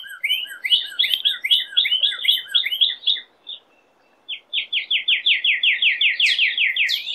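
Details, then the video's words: Northern cardinal song of rapid repeated down-slurred whistled notes in a rolling series, breaking off for about a second, then resuming as an even, steady run of clear slurred phrases. "CARDINAL bird song chant cardinal"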